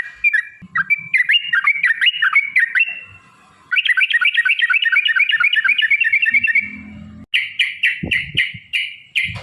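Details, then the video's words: Yellow-vented bulbul 'ropel panjang' song used as a lure: quick bouncing whistled notes, then a long stuttering run of rapid repeated notes, ending in louder sharp chips with a brief low thud. "trucukan gacor TARUNG ROPEL PANJANG pancingan trucukan agar bunyi jadikan burung trucuk gacor EMOSI"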